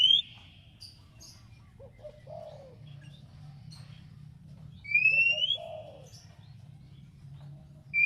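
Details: Song of an Oriental magpie-robin meant to draw an answer from a rival: scattered faint high ticks and soft low notes, one strong upward-sliding whistle near the middle, and another whistle beginning at the close, over background hum.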